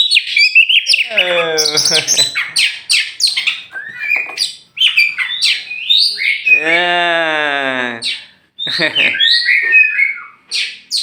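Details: Champion oriental magpie-robin, tame, from Meulaboh in Aceh, allowed out free before being hung in its cage. It delivers loud, varied song with a long harsh rasping note in the middle, plus slurred whistles and clipped chirps.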